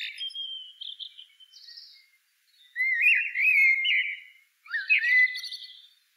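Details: A soft wavering whistle gives way to a loud, smooth, fluted phrase holding a steady pitch, followed by a shorter phrase that rises and falls, with a faint high twitter.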